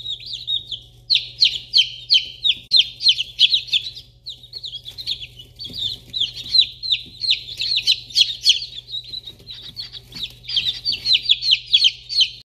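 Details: Fourteen newly hatched Polish Crested and Easter Egger mix chicks in a brooder in Alaska, spring 2021: continuous high-pitched peeping, many chicks calling over one another in rapid, overlapping chirps, with a low steady hum underneath.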